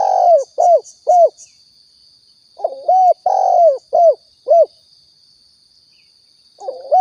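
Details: Spotted dove from Riau, recorded as a lure for bird hunting: soft, throaty coo phrases of a drawn-out note followed by two or three clipped coos, repeated twice with pauses, a steady electronic whine underneath.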